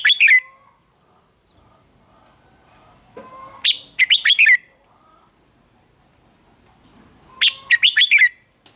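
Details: Red-whiskered bulbul in a singing contest: three short bursts of loud, bright warbled notes, each a quick cluster of descending whistles, separated by pauses of about three seconds with a faint call in between.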